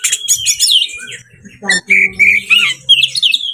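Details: Oriental magpie-robin in breeding condition, sung to provoke other birds: dense, high, scratchy notes and quick whistled slurs in bursts, with a lower steady tone underneath in the second half.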